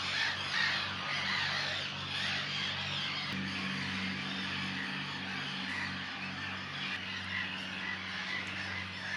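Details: In April 2025 on Brownsea Island, England, a busy colony of mostly black-headed gulls gives a dense chorus of harsh, scratchy cries over the lagoon, with terns, shelducks and more distant birds mixed in and low music humming underneath.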